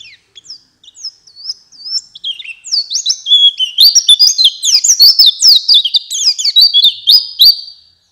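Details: White-eye singing a lure song for night and morning: a few scattered thin high notes at first, then a rising burst of rapid twittering, slurred chirps repeated several times a second for about five seconds.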